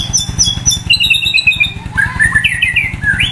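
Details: White-rumped shama sunbathing next to a main road sings a high repeated note series, then a quick trill and bending, warbled whistles, loud above a steady low throbbing noise.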